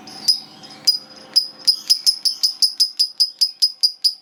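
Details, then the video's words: Lovebird, a fighter-type bird, giving its long ngekek: sharp high chips that start spaced, then speed up into an even rapid series of clicky notes for several seconds, indoors with faint low hum behind. "Lovebird Macet Bunyi Langsung Ikut Ngekek Panjang"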